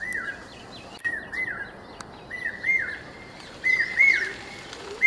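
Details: Common hawk-cuckoo (brainfever bird) call: shrill, repeated whistled notes at a high, fairly steady pitch, with other small birds chirping and twittering in the background.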